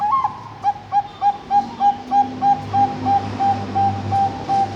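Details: Perkutut, a Bangkok-type zebra dove, ringed and bred at a bird farm in Kediri, East Java, Indonesia. It gives its opening song phrase: a rising note, then a steady run of short, clipped coos repeated about three times a second. A low hum runs underneath.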